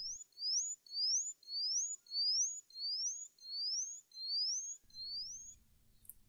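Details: Indian bushlark (Mirafra erythroptera) song in Indian scrubland, often delivered from a low perch: a run of eight thin, high, upward-sweeping whistles, about one every two-thirds of a second, with faint low rumble at the end.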